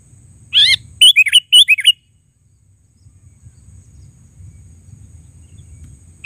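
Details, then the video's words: Three quick, bright bubbly notes from a sooty-headed bulbul, each rising then dropping, followed by a long quiet stretch with low rumbling background noise. "Suara Burung KUTILANG GACOR Panggilan Suara Asli"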